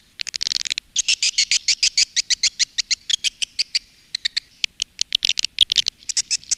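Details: Lure sounds for swiftlets, used by Indonesian swiftlet farmers to call birds and make them roost: rapid trains of high, clicking chirps, first dense, then spaced and steady, then quickening again.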